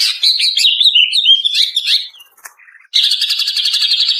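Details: Female greater green leafbird as lure audio for training caged birds: a jumbled, fast warbling run of slurred whistles and chatter, a brief pause, then a steady rapid buzzy trill.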